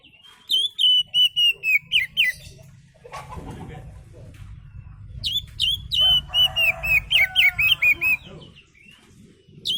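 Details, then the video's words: Oriental magpie-robin giving relaxed lure song: rapid runs of sweet whistled notes about four a second, a pause with low rumbling noise, then another long run of clear repeated whistles. "kicau Kacer santai ampuh buat pancingan"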